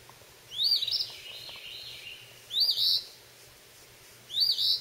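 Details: A fledgling phoebe, up under a porch roof catching bugs on May 21, 2012, gives three harsh, high, buzzy chirps about two seconds apart, each with a quick upward sweep, over a quiet background.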